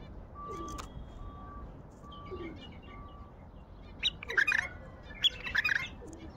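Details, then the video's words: Wild Baghdadi bulbul singing: after several seconds of quiet background with faint steady tones, two short bursts of bright, liquid, warbled notes arrive in quick succession near the end. "تغريد بلبل وحشي بغدادي"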